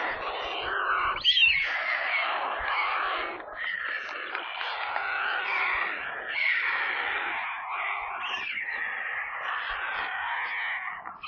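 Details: Screaming, hungry white stork chicks in a nest near Kaluga, Russia, on a nest camera. Steady rasping, hissing screeches rise and fall in loudness without a break.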